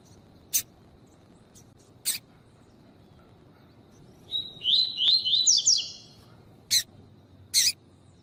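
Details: Tui tui song of a coleiro, recorded for training and pairing with a female. A steady high note runs into a cascade of fast rising whistled slurs, with several crisp clicks scattered before and after.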